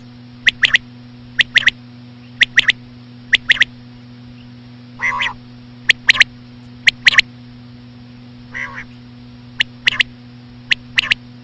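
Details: Common quail female calls played slowly to attract quail. Sharp, high clicks come in tight pairs and triplets about once a second. Two drawn-out, rasping notes interrupt the series, over a steady background hum.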